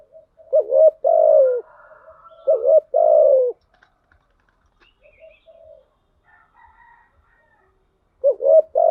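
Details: Decoy spotted dove giving repeated coo phrases, each a quavering short note and a long falling coo, three phrases in quick succession with faint chirps and quiet gaps between.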